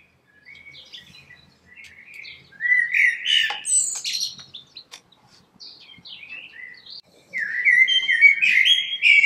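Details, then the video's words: Common blackbird singing quiet, scratchy twitters that build into louder fluted, warbling phrases with high squeaky flourishes. "Heute Vogelgesang der Amsel"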